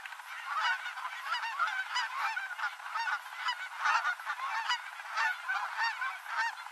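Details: Wild Canada geese descending to land on the Rogue River in Oregon at day's end; loud, overlapping nasal honks come in rapid bursts from a large flock, steady and unbroken.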